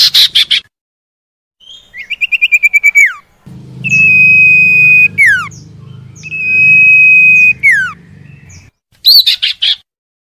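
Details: Common iora song meant to stimulate caged birds that have gone quiet: harsh rasping bursts, a fast pulsed series, then two long level whistles with falling tails, over a low background hum.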